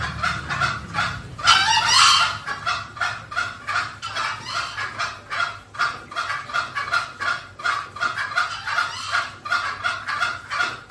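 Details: Green junglefowl calls used to lure wild birds: a steady stream of short, clipped clucks at nearly three per second, broken once by a louder, rougher burst early on.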